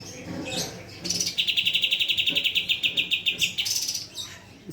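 A bird gives a fast, even trill of high chipping notes, about four per second, for roughly two seconds, with a few sharper chirps around it.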